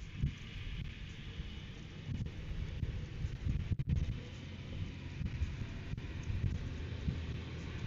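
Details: Steady low wind roar and rumble fill the recording, with no animal calls audible.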